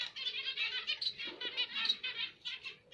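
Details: Rapid, nasal, trumpet-like beeps from zebra finches, several notes each second in uneven bursts.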